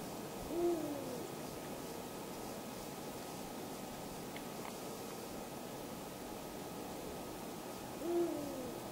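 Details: Calling male Eurasian eagle-owl at dusk, 2 March 2010, Falkenberg, Halland, Sweden: two deep, booming hoots about seven seconds apart over a steady background hum.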